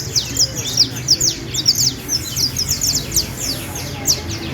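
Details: Canary from Valledupar, among birds presented as the best local singers; rapid bursts of high, sharp descending chips and short trills, several per second, over a steady low background rumble.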